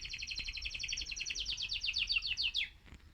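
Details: Excited male mosaic canary, sung to stimulate other birds; a fast run of bright, evenly repeated chirping notes rolling on for over two seconds, ending in a quick downward sweep, with a low background hum.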